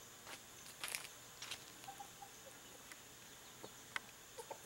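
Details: Free-range domestic hens (Gallus gallus domesticus) in a countryside farm setting, giving soft, short scattered clucks and faint clicking pecks, a few quiet high notes spaced irregularly over a calm background.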